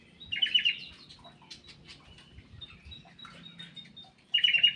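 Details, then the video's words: Aviary black-capped bulbul in active song: a short rich warbled phrase at the start, scattered thin high notes and clicks in between, then another bright warbled burst at the end, over low background hum. "KICAU KUTILANG EMAS \ CUCAK EMAS GACOR"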